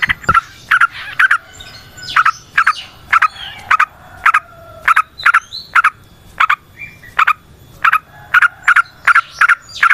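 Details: Yellow-vented bulbul singing vigorously in the long, rapid 'ngalas ropel panjang' style, used as a lure to stimulate other bulbuls: short sharp notes repeated steadily about twice a second, with faint softer chatter in the background.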